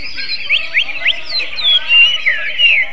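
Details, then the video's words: Greater green leafbird singing like a magpie robin: three quick upward-slurred whistles, then longer sweeping whistled notes that glide down, clear and bright. "CUCAK IJO RASA KACER, BURUNG NYENTRIK !!"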